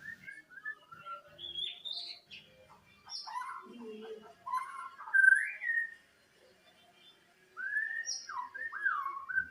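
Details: White-rumped shama giving a strange song said to resemble a chicken: varied clear whistles, sliding and looping notes mixed with short chattering bits and a lower burry phrase, then a pause and renewed fluting whistles.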